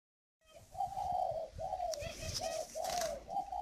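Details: Tame, hand-raised male spotted dove, large, that has just cooed in a whistle-like 'còi' voice style: mid-pitched coo phrases in a steady run of smooth, slightly wavering notes, with faint rustling below.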